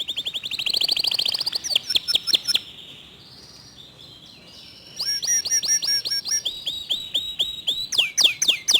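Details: Local canary delivering a quick, tightly packed clear song: a rapid high trill, a brief pause with a soft sustained whistle, then bursts of sharp repeated downward-sweeping notes at about four per second.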